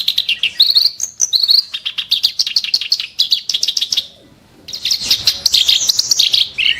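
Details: Kerak basi (clamorous reed warbler) delivering sharp, harsh 'shots': a fast, chattering run of buzzy, scratchy notes and rapid clicks, a brief pause near four seconds, then renewed loud grating phrases with higher whistled slurs.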